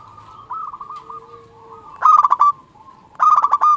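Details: Local zebra dove singing to draw other doves into calling back: soft wavering coos at first, then two loud bursts of fast, stuttering, rolling notes about a second apart, each ending in a brighter held tone.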